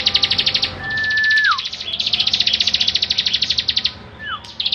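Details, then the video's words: Bar-winged prinia singing actively, a kept bird whose song serves as a master for training other songbirds: fast high trills in rhythmic bursts. A steady pure whistle drops sharply at its end, and another brief downslurred whistle follows near the close. "Ciblek Gacor Cocok buat Masteran"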